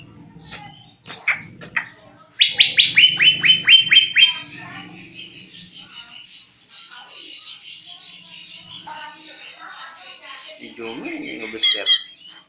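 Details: A learning greater green leafbird delivers a rapid series of slurred chirps, then a long, buzzy warbling passage lasting several seconds, with scattered clicks and faint background noise.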